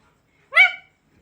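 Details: A ringneck parrot, whose owner says it jokes and talks, gives a single short, harsh, speech-like syllable lasting about a third of a second, with quiet silence on either side.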